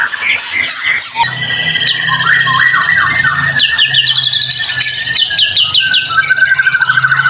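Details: White-rumped shama singing 'gacor' as a trigger to set other shamas singing; a few harsh bursts open, then sliding whistled notes and fast repeated high trills, with a steady low hum underneath.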